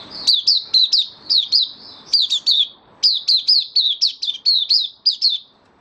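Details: Caged white-eye singing in open 'buka sing' style after completing regular deworming and health supplements, 18 May 2022: rapid bursts of high, sharply down-slurred chirps, several a second, broken by short pauses.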